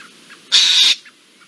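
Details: Eurasian jay giving one harsh, rasping alarm screech of under half a second, a noisy tearing sound, raising the alarm at an Iberian lynx alongside a blackbird on 17 April 2024 against a quiet background.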